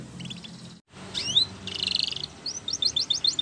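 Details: Spanish Timbrado canary training song for canaries, half-buried in steady background noise: soft trilled notes, a brief gap, then a rising slur, a bright buzzy roll and clipped repeated whistled notes.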